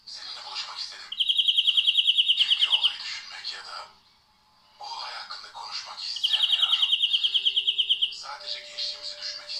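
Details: European greenfinch, stutter-style (kekeme) song for training: bright twittering broken by fast, even trills of rapid notes, given in two bursts with a brief pause between.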